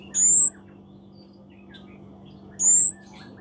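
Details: Scarlet-backed flowerpecker, a very small bird, giving two thin, high, slightly rising whistled notes about two seconds apart over a faint steady hum.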